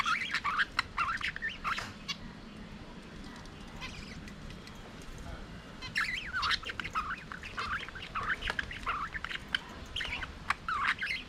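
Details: A flock of budgerigars singing and playing in their aviary, giving rising and falling warbled chirps in bursts, with pauses between and a steady low background hum.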